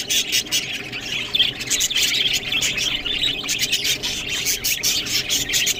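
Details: Budgies eating green food make high, squeaky twitters and grating warbles in irregular clusters, accompanied by frequent sharp clicking.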